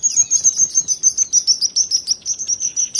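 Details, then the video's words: A sparrow chirps busily in bright, high, clipped notes, about three to four per second, in a steady rapid stream with no other sounds. "બાળકો હવે આપણે ચકલી નો અવાજ સાંભળીએ બાળકો"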